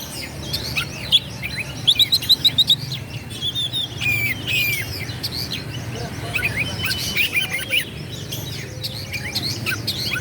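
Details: Extended Oriental magpie-robin (kacer) performance for stirring up rival birds: varied whistles, fast repeated chip series, buzzy notes and trills across ten seconds, with constant low rumble behind.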